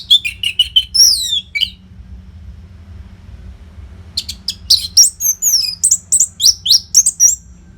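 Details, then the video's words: Orange-headed thrush singing without pause for training fighter birds, North Bali: fast repeated chips and slurred whistles, a silence of two seconds, then a vigorous run of rising, clicking notes about four per second; low hum beneath. "SUARA MASTERAN ANIS MERAH GACOR RAPET NO JEDA INI UNTUK MELATIH FIGTHER BURUNG AGAR SELALU FIT"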